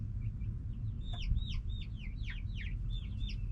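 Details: Backyard hens calling: a chorus of short downward-curving chirps and clucks from several birds, quickening and overlapping, with a steady low background rumble.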